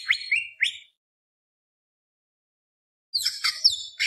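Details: Greater green leafbird in gacor song of the tembak beset long-roll style, used as a provocation to excite birds: a few sharp rising chirps, a long silence, then a dense tumble of high, varied whistles.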